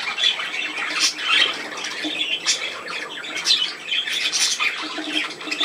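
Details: Budgerigars kept as pets, playing. Harsh, bright squawks come in scattered bursts with short gaps between them, over a constant hiss.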